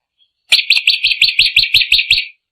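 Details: Drongo giving a short, loud phrase of about ten quick, repeated slurred notes, evenly spaced over nearly two seconds.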